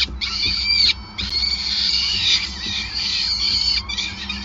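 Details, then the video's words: Peregrine falcon at a nest site in Groningen on 5 May 2020, during feeding; harsh, rasping screeches run almost without pause, broken by two short gaps, over a steady low hum. "Slechtvalk ~ Endless Feeding"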